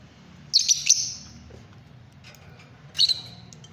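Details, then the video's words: Fischer's lovebird giving two shrill, high squeaky chirp bursts, the first a quick cluster of notes trailing off, the second a short sharp screech about two seconds later, over a low background hum. "love birds singing songs"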